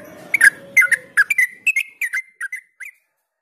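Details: Lure song of a yellow-vented bulbul in ropel style: a chattering string of bright, slurred whistles that starts dense and slowly spaces out and fades over three seconds, with faint background hum at the start.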